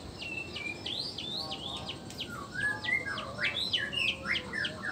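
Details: Male white-rumped shama of the black-tailed Nias form, song used to provoke other males into singing; dense run of varied whistled and slurred notes, rising and falling, over steady background hiss and other chirping.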